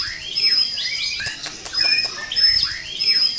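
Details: Murai, the white-rumped shama, competing in a singing duel at an early-year contest event, delivers rapid looping warbles and slurred whistles in short bursts, with a sustained high tone and other singing birds behind.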